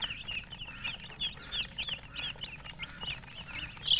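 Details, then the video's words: A group of baby chicks peeping insistently, thin high notes bent up then down, following one another with barely a gap over a low hum. "MURGI Baby "Chicks Chirping" Sound"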